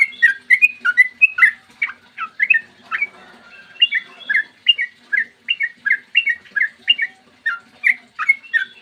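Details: Long song of a sooty-headed bulbul, played to stir other bulbuls into singing: dense stream of chirpy whistled notes with brief trills, scarcely pausing, steady loudness throughout and a low background hum.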